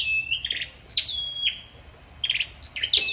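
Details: Sâu đầu đỏ hót đấu: a steady whistle, then sharp high notes dropping into a long level tone, followed by quicker buzzy chirping fragments.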